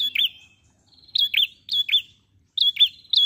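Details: Ashy prinia singing persistently as a lure for other birds: high paired chirps with a falling hook, in short bursts separated by brief silences, faint buzzing between.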